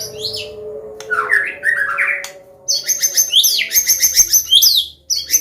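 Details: Medan-type white-rumped shama singing a combination song meant to train young birds and draw them into singing; rapid high sweeping notes and sharp chattering bursts, with a faint steady hum underneath.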